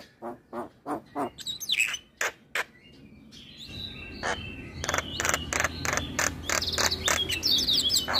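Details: Prompting song of Javan myna for silent caged mynas: spaced, sharp chip notes and a few whistles, then a noisier stretch of rapid, harsh chatter over a rumbling background.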